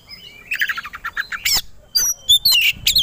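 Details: Short burst of aggressive kacer (Oriental magpie-robin) song used to agitate competition birds: a quick stuttering trill of mid-pitched notes, then loud harsh buzzes and high whistles.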